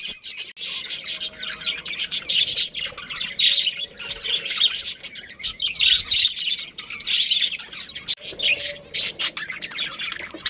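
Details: Budgerigar breeding pair in a long run of high, chattering warbles and chirps, tightly packed scratchy notes with a faint steady hum underneath.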